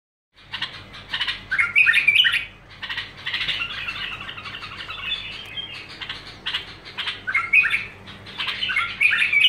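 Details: Bulbul singing continuously without pause: dense, bubbly warbled phrases with squeaky, scratchy notes, rapidly strung together; a steady low hum lies underneath.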